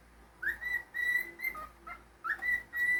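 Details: Pet cockatiel whistling indoors: two clear whistled phrases of sliding notes, the first starting with a quick upward sweep, over a low room hum.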